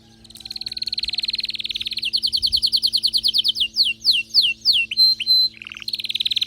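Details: ['Excited canary in full song, opening with a rapid high buzzy trill, shifting into rhythmic descending slurred notes that slow into separate whistled sweeps, ending in another fast trill.']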